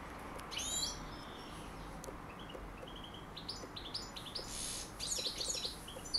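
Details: A European goldfinch calling and singing briefly, giving bright, tinkling twitters and liquid trills, high and quick, in short bursts over a low background hum.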